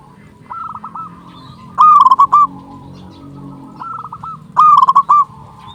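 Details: Two loud bursts of rapid, stuttering coos from a lively local zebra dove, meant to lure doves and spur quiet birds to sing, each preceded by a softer answering coo, with a low hum underneath.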